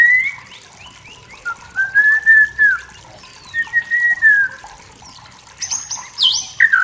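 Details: Forest-dwelling wild white-rumped shama singing provocatively at rivals: long, smooth mid-pitched whistles that arch up and down, followed by a sharp high swooping note and a short burst of higher calls.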